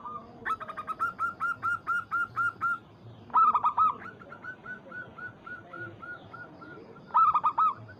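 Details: Rival-calling local zebra dove with a rhythmic train of clipped coos, a loud rolling burst, another long run of softer even notes, then a final emphatic flourish, light background hiss.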